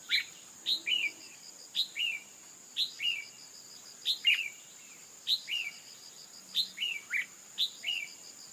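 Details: Female red-whiskered bulbul calling to goad a male into intense song: rapid series of two-note phrases, high sharp chip then lower falling whistle, about once per second, over a persistent high-pitched buzzing background.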